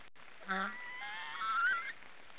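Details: A single snoring call from black storks, a short low harmonic burst followed by a thin rising whistle that wavers before fading, over faint background hiss.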